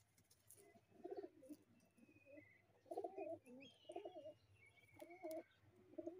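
Low, throaty pigeon coos in rolling bursts about once a second, with faint thin whistles from other birds in the background.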